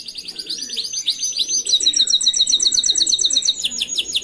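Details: Canary singing a master song meant to teach other canaries: continuous rapid high trills and chattering tours, changing into a faster, brighter repeated pattern partway through, with faint low background noise.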